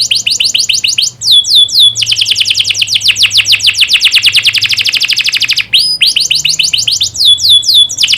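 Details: Canary song used as a training recording to get young canaries singing well: rapid repeated descending notes forming long rolling trills, broken by short gaps and upward whistles, with a faint low hum beneath.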